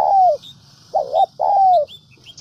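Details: Spotted dove kept as a decoy caller in Vietnam's Central Highlands: a long falling coo, then a short double note and another long gently descending coo; faint high bird chirps behind.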